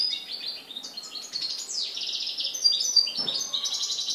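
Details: Goldfinch song from Morocco, 4 December 2013: a rapid, continuous stream of bright twittering notes, with quick buzzy trills and liquid chirps running throughout without a pause.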